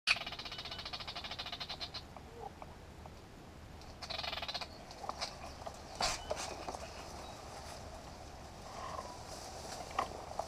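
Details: Great reed warbler singing at Grachevka: harsh, grating broadband notes chattered in quick runs through the first two seconds, then another rasping burst around four seconds and scattered sharp strokes later, over a steady low background hiss.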